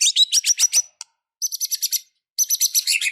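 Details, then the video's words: White-rumped shama, called fighting and emotional, singing quick repeated high notes in three bursts, each a rhythmic chain of bright chirps with whistled overtones. "Murai batu Super Loyo tiba Tiba Serontak Emosi Fighter,Dengan Suara Murai Batu Gacor Full isian Ini"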